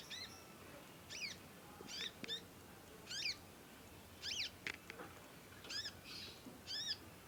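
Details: Conin chick practising song with long chirping, singing vigorously, suited for song tutoring; around eight crisp high chirps repeated roughly once a second, each a rapid falling stack of notes.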